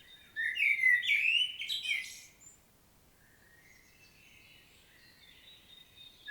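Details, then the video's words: A common blackbird in Świnoujście, Poland, 25 September 2022, delivers a loud fluty warble ending in scratchy twitters, followed by a long stretch of quiet with faint distant chirps. "Blackbird's solo"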